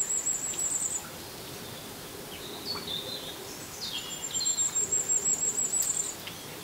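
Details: Firecrest singing in the rain, giving very high, thin, rapid trilled phrases at the start and again after three seconds, with a few softer lower notes between them over constant patter of rain.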